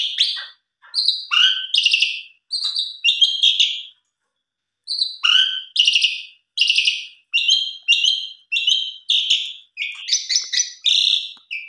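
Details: Asian pied starling giving a lure song with full material, pumping fills and vigorous chattering that sets other birds singing: bursts of loud, harmonic, nasal notes and squeaky whistles in quick varied phrases, a short pause near four seconds, then steady repeated phrases.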